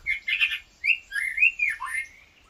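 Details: Close, loud decoy white-rumped shama used in bird trapping, the decoy said to be weak: rich warbled and slightly buzzy whistled phrases in quick bursts, sliding up and down, with brief pauses between them.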